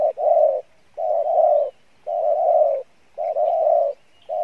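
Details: Wild-caught spotted dove cooing in the Pha Bài Lối style. Loud, long, low coos come as a short note joined to a drawn-out tone, repeated roughly every second over a quiet background.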